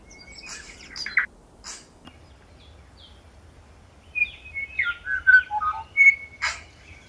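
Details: Tui in winter on Owairaka, feeding on exotic banksia and flame tree blossoms; an opening click and whistle, a pause, then a loud run of varied whistles, slurred notes and dry clicks.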